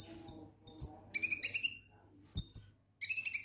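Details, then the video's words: Ngek-ngek song of a konin lovebird, played to trigger singing: sustained thin, high whistled trills alternate with lower, buzzy, rapidly pulsed chatter, repeated in short phrases. "Konin Ngek Ngek Ampuh Pancing Bunyi"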